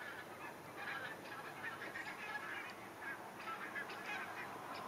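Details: Flock of geese heading south for winter, many honking calls overlapping and repeating quickly throughout, with constant broadband background hiss.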